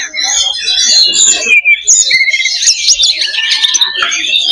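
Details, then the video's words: Kacer, or oriental magpie-robin, in a fighter-style loba simulation: rapid, tangled high warbling with sliding whistles and harsh buzzy bursts, packed densely without gaps. "SIMULASI LOBA BURUNG KACER || MENAIKAN MENTAL TARUNG / FIGHTER"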